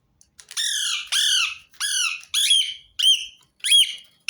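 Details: Rose-ringed parakeet calling in a steady run of six harsh, drawn-out screeches about half a second to a second apart, each one dipping in pitch.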